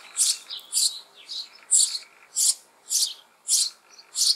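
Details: Nestling sparrows inside an old apple tree hollow in May beg their parents for food with loud, high, harsh rasping bursts, roughly two per second, some buzzier notes between them.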